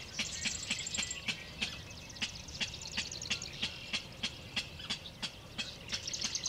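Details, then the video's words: King rail calling unseen at Horicon Marsh NWR, Dodge County, Wisconsin, on 3 June 2012: a steady series of harsh, dry kek notes, about three per second, over a constant high insect hum. "King Rail calling"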